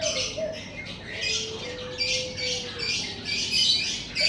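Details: Morning birdsong outside a house, with dense high chirping in short bursts over a long, level, lower whistle that holds steady in the middle.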